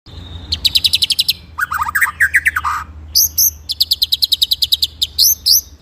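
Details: White-rumped shama master song in the rolling, shooting style for training other birds: one steady whistle, then fast runs of sharp high notes, a falling rattled trill mid-pitch, and closing bursts of very high stuttered notes over a faint low hum.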